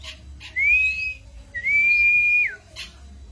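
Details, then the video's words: Cito bird song for luring or tutoring songbirds: two long, steady, high whistles, the second dropping sharply at its end, separated by a pause, with brief harsh notes around them. "burung cito cocok buat pancingan/masteran"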